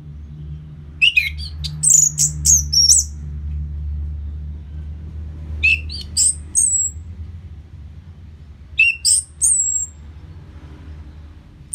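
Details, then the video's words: Orange-headed thrush, song meant to excite a bird after moulting: three separate phrases of quick whistled and chirped notes, rising and falling, spaced several seconds apart, with a constant low rumbling hum behind them. "Pancingan Suara Burung ANIS MERAH Pasca Mabung"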